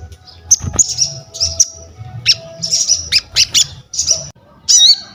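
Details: Crested jay calling busily, for bird training and luring: quick series of sharp high chirps and clicks, ending in a squeaky wavering whistled note, with low steady background hum.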